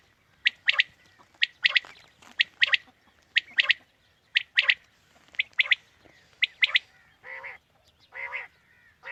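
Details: Quail calls meant to draw birds in for the morning hunt: a steady series of bright three-note phrases, then several lower, harsh, rasping notes at the end.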